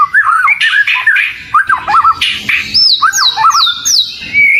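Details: Kacer, the oriental magpie-robin, singing as a bait song. Wavering mid-pitched whistles and scratchy bursts give way to repeated high looping whistles, then a rising final note.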